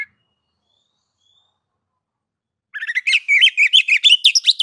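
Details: Oriental magpie-robin (kacer) in gacor song: after nearly three seconds of silence, a rapid, busy run of chattering notes and twisting whistles.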